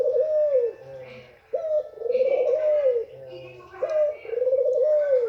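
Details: Female white Barbary dove calling to arouse males: a short, sharp, level note followed by a long, wavering, arched coo. The pair is given twice, about every 2.3 seconds, in a quiet indoor setting.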